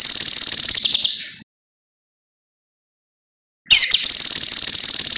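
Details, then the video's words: Cucak kinoi in a master recording used to teach other birds. The tail of one rattling phrase is followed by over two seconds of silence. Another burst then starts with a downward slur and runs into a fast, high, buzzing trill. "Masteran Burung Kinoi Jernih Gacor Paling Ampuh"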